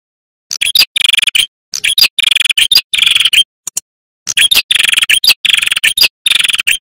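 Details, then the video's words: Male prinia in full song, used as a trapping lure and as a tutor recording for young prinias and tailorbirds: high, buzzy, rattling trills in bursts of about half a second, separated by short silences. "Suara Burung Prenjak Kepala Merah Jantan Gacor"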